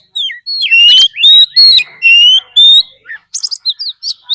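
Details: Oriental magpie-robin, a decoy bird, giving fighting song: loud clear whistled phrases, slurred and slightly rising, several long sustained notes in quick succession, then a burst of short high chirps and twitters near the end.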